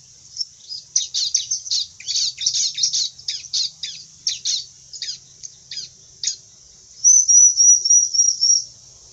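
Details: Bar-winged prinia song in separate bursts of sharp, high, clipped chirps, growing sparser, then ending in a rapid, high, whistled trill of repeated notes.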